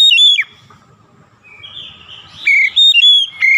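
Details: Oriental magpie-robin singing, a daily training track for long rolling song: a loud whistled phrase that drops away, a pause of quiet chattering, then a string of strong clear whistles and a final rising note.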